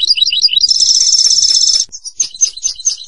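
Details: European goldfinch song: quick tinkling twitters rising and falling, then a sustained buzzy rattling trill held for about a second, followed by scattered bright chirps.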